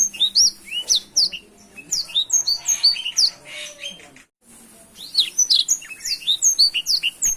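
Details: Black-throated canary kept as a caged songbird, delivering a fast, varied song of high sweeping chips and trills, a short silent gap midway, then another burst of rapid, piercing notes; soft hiss and low hum behind.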